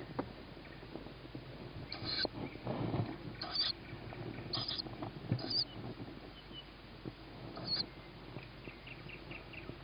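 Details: Begging tawny owl owlet at evening feeding time, 21 May 2017 at 21:38, a sibling fed first on a roof; rough hissing bursts at irregular intervals, with soft pattering and rustling noises between them.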